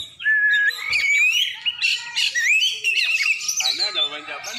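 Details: Aceh champion Oriental magpie-robin, black-and-white form, opening with a long rising whistle, then a fluent stream of bright slurred notes and quick twitters, ending in harsher chattering phrases.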